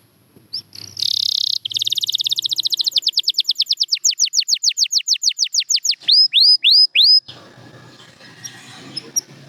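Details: Champion canary song starts with a buzzy burst, then a long rolling trill of evenly repeated notes, about eight a second. Four hooked whistles follow, then quiet with faint background noise.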